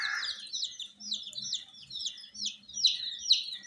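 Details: Several domestic chicken chicks, colour-dyed and kept warm, give a fast run of shrill falling chirps, roughly two a second, overlapping one another, after a short breathy burst at the start.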